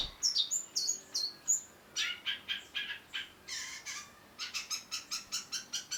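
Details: Chatty long-tailed shrike (cendet) masteran recording used so a bird keeps singing: thin high whistles open the phrase, then a string of rapid buzzy rasping notes, faint background hiss.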